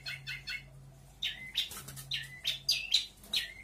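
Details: A local Lampung long-tailed shrike sings a fast jumble of sharp chirps and squeaky, rising whistled notes mimicking many other birds such as magpie-robins and canaries, with a low hum underneath.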